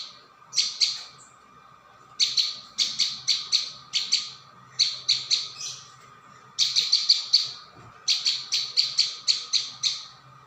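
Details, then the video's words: Prinia calling on a lure recording, staccato high chirps strung in bursts of three to seven notes with brief gaps, faint low hum underneath. "Mp3 pikat burung ciang"/ prenjak bawah"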